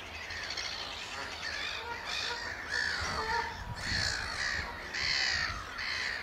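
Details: Oystercatchers in a piping display at Amwell Nature Reserve, April 2014. Loud, harsh piping notes come in bursts, growing stronger toward the end, over faint low background noise.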